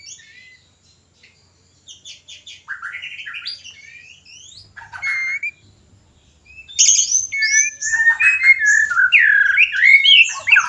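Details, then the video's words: Caged white-rumped shama, song for encouraging breeding; scattered quiet chirps and whistled slurs at first, then a loud rich stretch of fluty warbling and trills. "Pancingan ampuh murai kawin ||Terapi burung murai susah birahi dan kawin."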